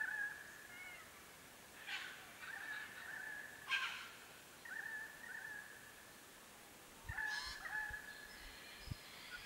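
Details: Foraging Grey Shrike-thrush (Colluricincla harmonica harmonica) on the winter solstice in 2021 in Capertee Valley woodland, NSW, giving clear, rich whistled phrases with sharper ringing notes every couple of seconds, over faint hiss and soft thumps.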